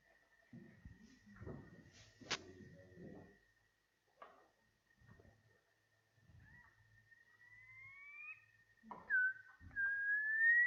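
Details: Brown quail, found in rank grass around wetter areas in the Australian bush and open country, gives drawn-out rising whistles, each sliding upward in pitch, over a steady high hum with some knocks and handling noise early on.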